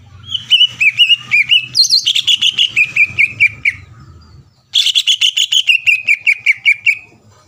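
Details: Used to provoke competing leafbirds, this greater green leafbird pours out looping, varied whistles, then after a short pause fast rhythmic chirp trains; a low hum runs underneath.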